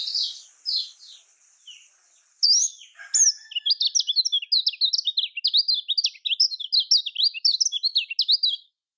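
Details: Kecial kuning (lemon-bellied white-eye) in Lombok-style song. A few scattered high notes and a brief break lead into a long, fast series of bright, clipped chirps and trills.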